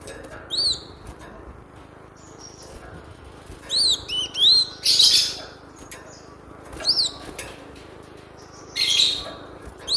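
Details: Cinereous tit song used as a training lure for captive birds: sharp arched whistled notes, some paired, at about 0.6, 4, 7 and 9 seconds, with noisy hissing bursts between them over a low background hum.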